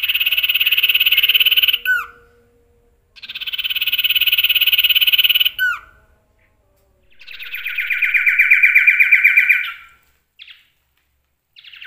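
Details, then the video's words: A male Common iora with a song full of imitated phrases gives three long, rapid, buzzy trills of two to three seconds each, loud and high, ending with a downward flick and separated by short pauses. "CIPOH/ SIRTU mewah isian NEMBAK"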